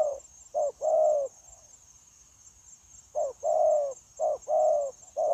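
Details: Wild-caught spotted dove cooing continuously, recorded 9 January 2024 to train decoys for dove trapping. A brief note then a drawn-out warbling coo, a two-second pause, then two more short-long coo pairs, over a faint high whine.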